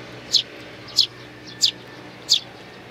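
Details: Sparrows attending nestlings, 8 May 2019, give four bright, high chirps spaced roughly two-thirds of a second apart against quiet background hum.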